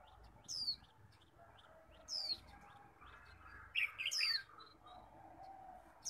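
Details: Kept Japanese white-eyes in a heated singing contest on a morning after rain: thin, high, downward-sliding whistles repeat about every two seconds, broken by a short burst of mid-pitched twittering, over a soft background of bird chatter.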